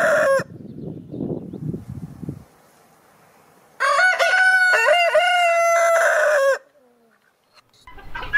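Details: Rooster crowing: after a brief loud burst and some low rumbling, one long, steady, strongly harmonic crow holds for nearly three seconds before breaking off, followed by quiet and another sound starting at the end.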